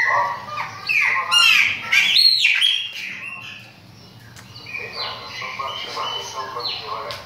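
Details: Chopi blackbird singing a varied run of loud whistled notes with rising and falling slides and sharp chirps, busiest in the first half, then softer repeated whistles toward the end.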